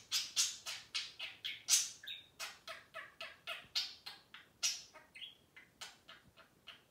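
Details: Pet budgerigars in lively exchange, a rapid stream of dry, high clicks mixed with short whistled warble notes, roughly three or four per second, in a quiet room.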